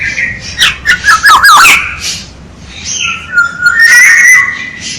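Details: Black-naped oriole song used as a decoy call: loud fluty whistles gliding and warbling mid-pitch, with harsher rapid notes in the first two seconds, then a long drawn whistle.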